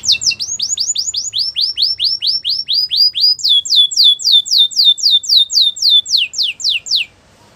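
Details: Belgian canary delivering a long run of rapid, repeated downward-sweeping whistled notes, several per second, shifting pitch slightly between tours, then ending abruptly into quiet.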